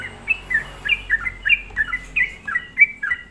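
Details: Lure song of a sooty-headed bulbul meant to provoke rival bulbuls: clear, lilting paired notes sliding downward, repeated in a quick bouncing rhythm over a faint low background hum.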